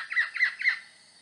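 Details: At the nest during feeding, a migrant buff-breasted paradise kingfisher gives three rapid, raspy squawks, evenly spaced and rising then falling, before falling silent.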